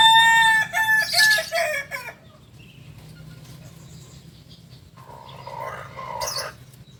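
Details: Kukuak Balenggek rooster, a singing chicken native to Solok, West Sumatra, ending a crow with rich, ringing harmonic notes over the first two seconds, followed by quiet background hum and scattered faint clucks.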